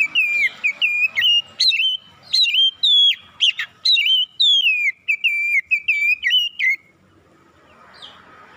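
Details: Morning song of an Oriental magpie-robin: a rapid run of loud, clear whistled notes, many dipping and sliding, delivered almost continuously for about seven seconds, then quiet with faint hiss.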